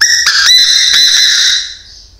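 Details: Chinese francolin decoy bird calling very loudly: a loud, harsh, harmonic-rich call of sharp repeated onsets run together, lasting about one and a half seconds before fading.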